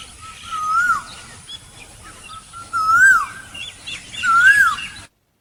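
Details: An Asian koel in the tea gardens of Assam gives three clear, rising whistled notes, each swelling upward then dipping, about two seconds apart, with faint chirps from other birds in the background.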